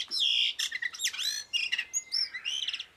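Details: Blue rock thrush, Monticola solitarius, singing a melodious, slightly hoarse warble for tutoring: rapid high whistled notes, slurs and chirps run together with barely a pause.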